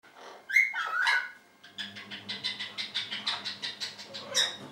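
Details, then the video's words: Two caged orange-winged amazons, noisy in spring, give a short whistled note then harsh squawks, followed by a run of rapid rhythmic raspy chatter repeated about four times a second. "Two Orange-Winged Amazons and Spring"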